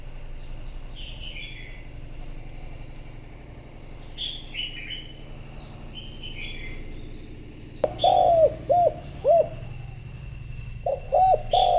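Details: Caged decoy spotted dove calling to attract wild birds: eight seconds of soft high twittering from small birds over a background hum, then sudden loud arched coos in short groups near the end.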